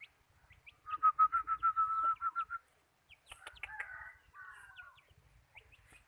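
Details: ['Decoy chicken, kept for catching birds and prized for its voice, utters a rapid even string of about a dozen clucks, then softer broken notes and a brief wavering call over faint low rumble.']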